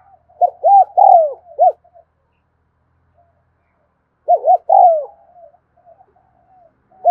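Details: Spotted dove in the 'thúc gù' cooing style, filmed one afternoon: rapid runs of three to four arched coos with a longer falling note, repeated after a silent gap of about two seconds.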